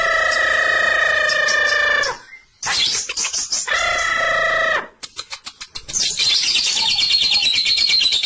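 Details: Twin lovebirds in a singing duel, used as a training reference: long shrill buzzing notes with stacked harmonics, broken by brief pauses and bursts of rapid clicking chatter, then a dense high trill.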